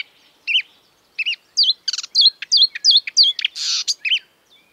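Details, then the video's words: A marsh warbler sings mimicked phrases of European and African birds: repeated wavering double whistles, a rattling buzz, quick twisted notes and one harsh hiss. "An exuberant marsh warbler (Acrocephalus palustris)"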